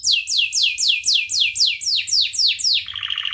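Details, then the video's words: Canary singing a training song meant for tutoring other birds: about ten clear descending whistled sweeps repeated roughly every third of a second, ending in a short lower rolling trill. "SUARA KENARI GACOR UNTUK MASTERAN | Canary Bird Training"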